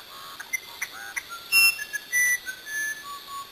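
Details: Musician wren from Brazil: brief whistled notes of changing pitch, a sharp broadband burst midway, then longer held whistles.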